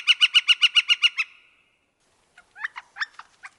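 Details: Wisconsin Northern flicker, a woodpecker, giving the tail of its rapid repeated call, about eight quick even notes fading out, followed after a pause by a few scattered sharper chirps and squeaky notes.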